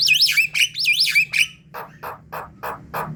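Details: Javan myna lure calls: three loud looping whistles that wave up and down, followed by four harsh rasping notes spaced evenly, over faint low hum.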